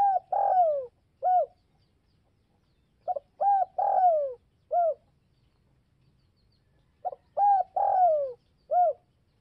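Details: Spotted dove repeating its call to provoke other doves. Three phrases arrive roughly every three and a half seconds, each built from short coos, a long sliding coo and a clipped closing note.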